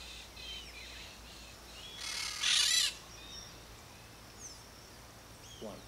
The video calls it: Eupsittula aurea - Periquito-rei (Peach-fronted Parakeet)